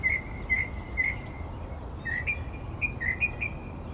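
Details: Northern mockingbird singing outside a bedroom window in Texas at 4 am: clear whistled notes repeated about every half second, then a shift to a higher, varied series of short whistles over steady low background hum.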